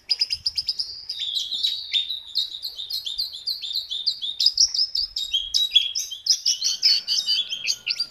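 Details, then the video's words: Jungle babbler singing vigorously: dense, rapid chirping and whistled notes, high-pitched and clear, rising and falling in quick sequences with brief pauses, continuing steadily throughout with a faint steady tone near the end. "JONGKANGAN gacor"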